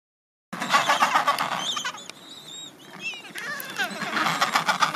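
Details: Adélie penguins in a crowded colony at the end of summer, when young birds shed their last chick down before their first swim: harsh, rapidly pulsed braying in two loud bursts, with thin whistled notes in the quieter middle.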